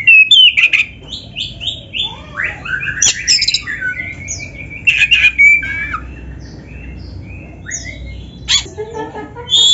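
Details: Black-breasted kacer in a training recording rich in canary-style phrases, meant to provoke other birds into singing: varied whistles, buzzy sweeps and harsh squawks, with rapid high notes running almost continuously.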